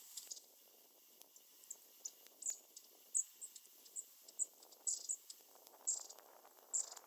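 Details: Long-tailed tits (shimaenaga) flitting rapidly about: very high, thin, short call notes, repeated irregularly every half second to second over about seven seconds, with soft rustling and faint background hiss.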